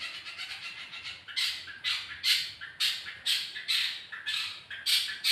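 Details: Lure sound of a long-tailed shrike, used to get a bird singing fast: strident, grating squawks repeated in a steady series, about two each second, each ending in a fading rasp.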